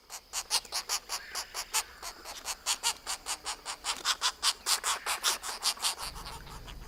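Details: A Pileated Woodpecker thumping on a tree in a Kentucky forest: sharp, hollow taps at an uneven pace of two or three a second, over about seven seconds against a quiet background.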